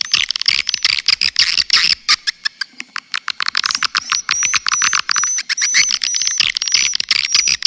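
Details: Swiftlet lure call known as the Triple 999 calling sound: dense rapid clicking runs throughout, overlaid with short high whistled chirps repeated many times, in a filtered recording with no low sounds.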